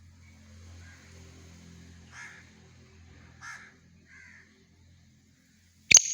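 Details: Black francolin calling: three short, harsh, grating bursts about a second apart, faint against a quiet background with a low hum. A sharp loud knock ends the recording.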